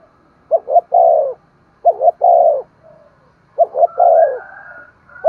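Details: Coos of a spotted dove played to spur other doves into calling: three phrases of two quick hollow notes and a long descending coo, with a faint higher tone toward the end.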